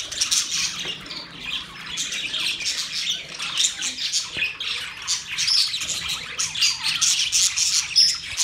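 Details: Budgies, Australian parrots, chattering nonstop: busy high warbling and scratchy chirps from many birds at once, rising and falling in waves of loudness.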